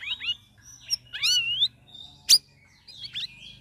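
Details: Caged sooty-headed bulbul after three weeks of ombyokan group-singing training, singing in the ngeriwik ngeplong style: high twisting whistled slurs and sweeps, one bright sharp note near the middle, thin chatter at the end.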